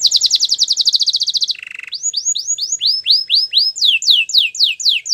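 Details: Canary training song with a fast, even high trill, then a short lower rattling roll, followed by a run of bright descending slurred whistles repeated about four times a second, with faint higher overtones.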